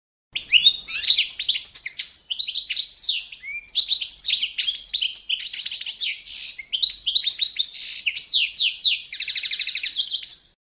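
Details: Competition-standard song of a Balkan goldfinch (Carduelis carduelis balcanica) used to train birds: ten seconds of continuous, rapid, tinkling twitters and buzzy trills in quick phrases, with short pauses, against silence.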